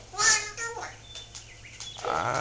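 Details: Pet Solomon Island Eclectus parrot talking indoors: a loud, bright harmonic burst of squawky syllables, then quieter buzzy notes and a rising, hoarse tail, with a person speaking nearby.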